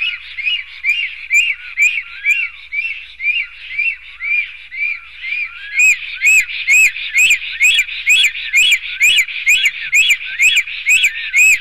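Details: Black stork at its nest in Sigulda municipality, Latvia, morning of 11 June 2020, during a fight between two males; a long steady run of arched, wheezy notes about twice a second, growing louder with bright clicky overtones midway.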